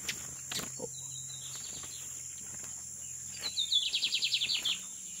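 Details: Lined seedeater (bigodinho) from Maranhão, Brazil, singing: a few soft notes, then a fast run of about ten bright, high, evenly repeated chirps, over a steady electrical hum.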